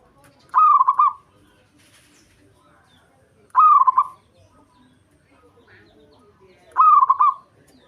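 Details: Local zebra dove from Java in breeding condition, calling to provoke a rival: three bright phrases of quick stuttering coos, roughly three seconds apart, with faint soft background noise.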